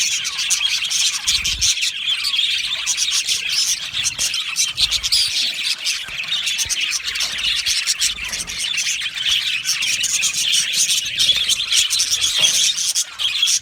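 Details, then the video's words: Budgie colony in an aviary singing and chirping together: a steady wall of bright, overlapping twitters and chirps with brief louder bursts throughout. "Beautiful Budgie singing and chirping sounds"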